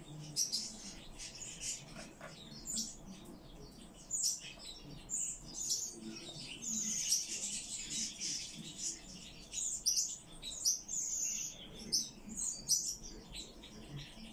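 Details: A rescued Common chaffinch sings bright, high, sharp notes in quick bursts throughout, over a faint low rumble in the background.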